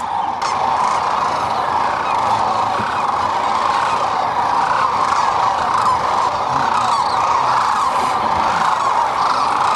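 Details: Sandhill cranes at a spring stopover during their northward migration on the middle Platte River in central Nebraska, where they feed and rest; a dense, unbroken chorus of many overlapping rolling calls from a large flock, steady throughout.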